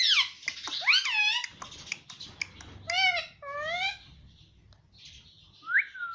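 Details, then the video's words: Pet Indian ringneck parakeet talking Hindi, said to say words such as "mummy" and "mitthu", indoors: a series of speech-like, nasal phrases with rising and falling bent tones, separated by short pauses, then a final short rising squeak. "Bolne wala tota - mummy mummy bolta tota - talking parrot - mitthu mitthu"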